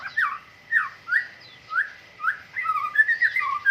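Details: White-rumped shama during morning dew airing. It gives full, mellow downslurred whistles spaced about half a second apart, then breaks into a rapid varied warble.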